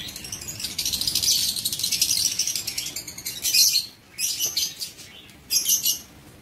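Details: Lovebirds in an aviary cage, several birds chattering with dense, high, buzzy chirps in bursts, fading into separate shrill squeaks and short screeches toward the end.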